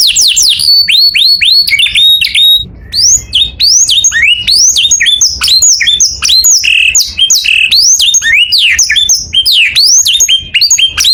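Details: Canary singing in the morning: a loud, fast stream of high whistled notes, rising sweeps and quick trills, with a brief drop to a lower buzzy phrase near three seconds before the rapid high rolls resume.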